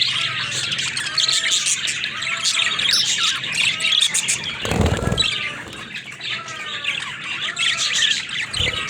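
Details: Pet budgies chatter in rapid high chirps and warbles; a brief thump or rustle breaks in near the fifth second.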